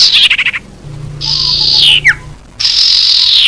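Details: Lure call of the common iora, used to attract wild birds: a rapid buzzy stutter, then a long harsh buzzing note ending in a falling slur, and another drawn-out buzz.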